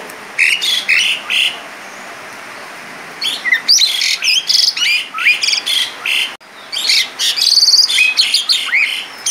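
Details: Asian pied starling in full 'gacor' song: opening chirps, a pause, then a fast, varied stream of rising whistles, buzzy notes and trills in quick succession.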